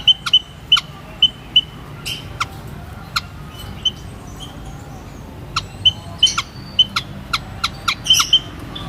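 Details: High, clear pipping notes from white-headed munia, repeated in loose runs with short gaps, mixed with crisp clicks; more frequent and bunched toward the end.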